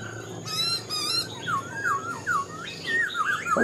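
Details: Black-throated laughingthrush, a wild-caught cage bird singing "mộc dở" style, gives a run of slurred whistles that swoop down and up, steadily repeated, ending in a louder rising note; sharp high chips sound early on.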